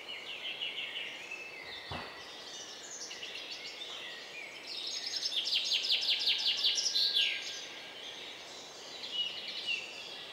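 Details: Song thrush parents feeding their four young about 10 m up: thin, high chirps repeat several times a second, swelling midway into a fast, excited burst, over a steady outdoor hiss.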